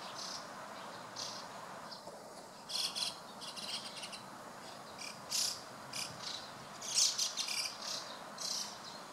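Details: A gathering of white-cheeked starlings on 23 June 2016 around 4:24 pm gives harsh, scratchy, high flock chatter in irregular bursts over a steady background hiss.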